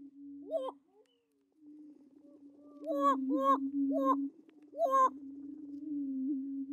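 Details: Courtship booming by endangered Attwater's prairie chickens held at a breeding facility, displaying for females; a continuous low moaning tone with short rising whoops popping out, several in a quick cluster.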